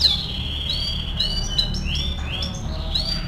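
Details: Canary song for training, heard as quieter drawn-out whistled notes and soft gliding slurs over a low background hum.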